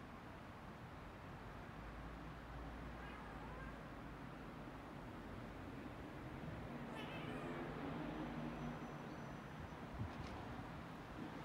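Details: A Eurasian jay mimicking a cat gives a few drawn-out, falling, cat-like mews, spaced several seconds apart, over a steady low rumble of background noise.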